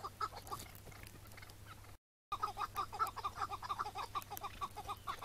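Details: Chukar partridge giving a chattering chuck series on a May 2017 morning during a capture, the bird later released. Throaty repeated notes about twice a second, with a brief silent gap before the series continues steadily.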